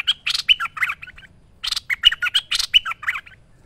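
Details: Merbah lekir bulbul in full vigorous song for a training master recording: two rapid phrases of warbling, bubbling notes and sharp whistles, separated by a short gap.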